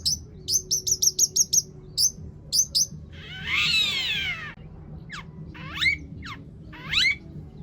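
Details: Long-tailed shrike's lure song rich in mimicked phrases, meant to provoke other shrikes into singing: quick high ticking notes, then a harsh, drawn-out buzzy screech, followed by scattered rising whistled slurs.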